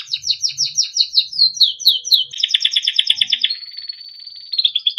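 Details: Melodic training song of a Timbrado canary, opening with fast repeated downward sweeps, then a dense buzzy trill, ending in a long steady whistled note that fades.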